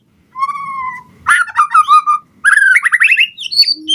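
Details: White-rumped shama singing to make other birds respond: a long steady whistle, then rich fluty notes, a rapid rising trill and high sweeping whistles, ending on a low pure note.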